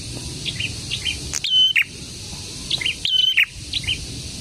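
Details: Prinia (prenjak, locally prenjak tamu or prenjak merah) giving two loud phrases of a level whistle ending in a lower burst, over a busy background of softer high chirps from other birds.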